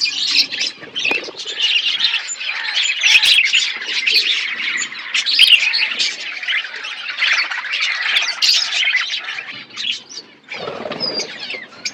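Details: Budgerigars eating food while chirping: twelve seconds of dense, overlapping high warbles, squawks and twittering from many birds, with a lower rustling burst near the end.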